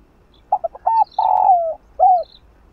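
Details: Spotted dove in the stimulating coo style, played to encourage a dove that is slow to coo: two short low notes, a rising hoot, a long hollow descending coo, and a final arched coo. Faint high bird chirps.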